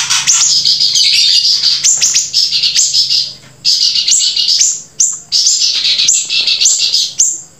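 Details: Grey-breasted prinia singing steadily: dense runs of high, buzzy, thin notes with sharp upward flicks, nearly continuous for several seconds with two brief pauses, over a faint low hum.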